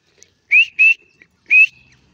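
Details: Grey francolin, locally called dakhani teetar: three loud, clear whistled notes, each rising slightly, the first two close together, the third after a short pause and trailing into a thin level tone, in a quiet setting.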